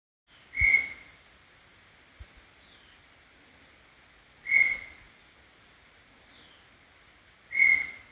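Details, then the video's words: In Serra do Brigadeiro State Park a brown tinamou gives three isolated clear whistles about three to four seconds apart, each steady and brief with a fading tail; a faint knock sounds between the first two. "Som limpo do canto🎵 do Inhambuguaçu"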